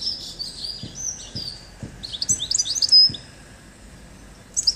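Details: European goldfinch (Carduelis carduelis) song: a rapid, high, tinkling twitter of liquid notes and buzzy trills, with a few soft low knocks in the background.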